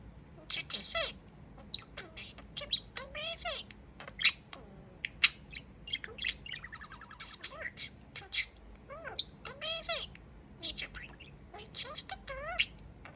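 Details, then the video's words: Male pet budgerigar chatting while dancing: a busy run of warbled, rising and falling whistles, buzzy squawks and sharp clicks, irregular and bright, with faint background hum. "Talking Parakeet"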